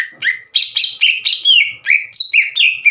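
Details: Loud challenging song of a caged greater green leafbird spoiling for a fight: a rapid series of clear, slurred whistles, each dropping then levelling, mixed with scratchy high notes, about three per second.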